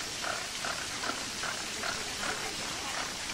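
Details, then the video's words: Flamingos in captivity at Marwell Zoo in the UK utter brief goose-like honks in a quick regular series, backed by constant water from a fountain. "10 Hours of Flamingo Sounds"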